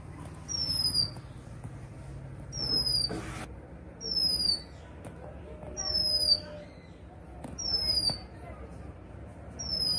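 Oriental magpie-robin giving a thin, high, downslurred whistle, repeated roughly every two seconds, over a low background rumble.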